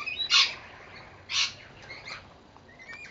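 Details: Rainbow lorikeets feeding on seed on a verandah in Victoria, Australia: two loud, harsh screeches about a second apart, then fainter chirps and a thin rising whistle.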